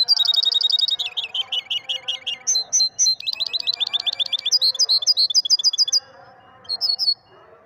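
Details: European goldfinch, Moroccan maestro song: a quick trill of repeated notes gives way to looping rising chirps and clear single whistles, then falls silent near the end apart from a final pair of notes.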